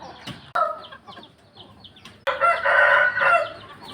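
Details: Dawn rooster crowing, soft clucks and scattered noises first, then a loud strained crow lasting over a second.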